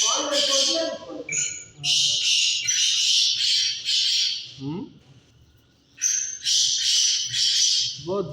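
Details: A black francolin, known locally as kala tetar, gives loud, harsh, grating squawks in bursts of about a second. The bursts come in two runs separated by a pause. Short rising nasal notes appear between them.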